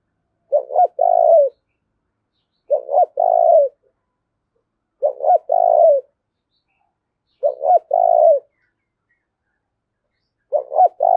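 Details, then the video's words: Spotted dove kept as a decoy, calling to provoke fighting; five regular phrases roughly every 2.4 seconds, each a quick stuttered pair of notes then a sustained purring coo. "Tiếng chim cu mồi thúc đấu"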